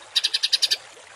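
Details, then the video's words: Short harsh 'tembakan kasar' songbird burst from a masteran recording for cage birds: seven quick buzzy rasping notes in a tight even row, then quiet. "MASTERAN BURUNG TEMBAKAN KASAR"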